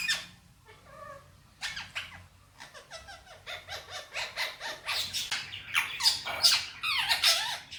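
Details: Talking male Indian ringneck parrot, a pet, chattering Hindi-Urdu words: a rapid, uneven string of short raspy syllables, growing louder and denser toward the end.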